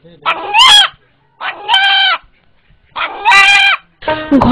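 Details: An eight-month-old pet rooster in Kaliyali village calls when frightened, and its call is likened to "Allah Allah". It gives four loud, harsh, nasal calls, each about half a second long and roughly a second apart, rising then holding steady.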